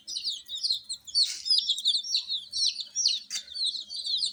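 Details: Coloured baby chickens kept with heat give a run of high, downward-gliding peeps in rapid succession, interrupted twice by a brief rustling burst, with more chicks chirping softly behind.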